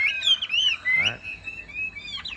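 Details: Caged yellow-billed Chinese hwamei, newly arrived the previous afternoon and not yet singing with confidence, on a rainy morning of the first day of the month. Clear whistled phrases rise and fall in looping slurs, with short pauses between them.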